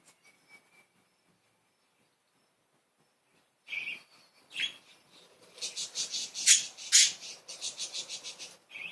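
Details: Playful budgerigars: a few faint tweets, a quiet stretch, then lively chatter of rapid, rhythmic high pulses with two sharp, loud chirps standing out.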